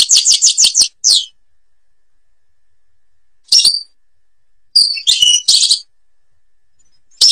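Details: Short bursts of high, rapid twittering from a European goldfinch in Algeria's Babors forest, separated by long silent gaps, with a few quick chirps in between.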